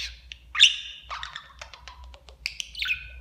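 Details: Domestic budgerigar kept as a talking pet, mimicking speech; high chirpy warbling mixed with quick clipped syllables and a few thin whistled notes, rapid and jumbled.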